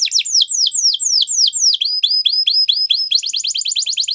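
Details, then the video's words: Gloster canary song of drawn-out descending whistles, then rising upslurred notes repeated steadily, ending in a quick tight trill. "Gloster Canary Singing !! Canary Bird Song"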